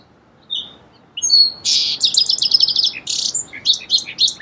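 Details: Song sparrow delivering scattered lead-in whistles, a strong buzzy note, then a rapid run of repeated chip notes and a second buzz before more varied high notes.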